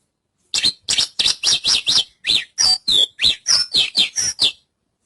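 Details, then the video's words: Javan bush lark in an unbroken run of about fourteen rapid notes, roughly three per second, mixing buzzy chirps with sharp down-slurred whistles, loud and clear against a silent background. "Suara Burung Branjangan"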